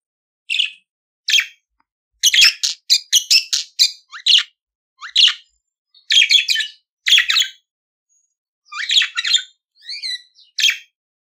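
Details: Budgerigar song of quick chattering chirps and buzzy warbles in irregular bursts, about one a second, with short pauses and a few clean whistled squiggles near the end.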